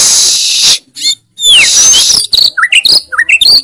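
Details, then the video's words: White-rumped shama singing a loud, full song: a harsh broad hiss, then sweeping whistles and rapid looping, zigzag high notes in quick bursts. "MURAI BATU GACOR FULL ISIAN TEMBAKAN KENCANG, KICAUAN YANG SANGAT MENGGAIRAH KAN MURAI BATU ISTIMEWA"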